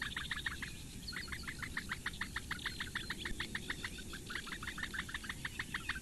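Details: Morning feeding of four Eurasian bittern chicks in the reeds of Lake Engure, Latvia, on 15 May 2017: a loud, regular stream of short begging ticks, a brief gap after the first second, then steady again.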